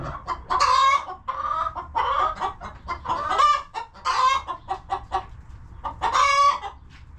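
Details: Several chickens in a cozy farm coop keep up busy overlapping clucking, with drawn, nasal squawks rising above the constant chatter.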